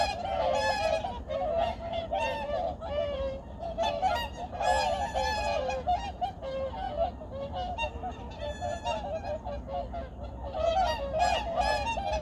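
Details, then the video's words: Noisy chorus of migratory birds at dawn on Junam Reservoir in Changwon, South Korea, 2019: dense, overlapping honks in loud surges every second or two, with a faint low background hum. "창원 주남저수지 철새소리"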